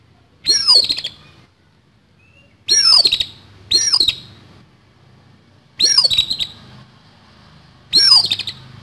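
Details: Oriental magpie-robin fighting song with rough, harsh fill; five loud phrases of high sweeping whistles and dense rattling stutters, roughly twenty-eight a minute, with a low steady hum behind.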